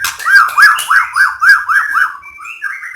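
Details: White-rumped shama singing to prompt other shamas to sing: a quick series of about eight arched, clear whistled notes in a steady rhythm, followed by softer rising whistles.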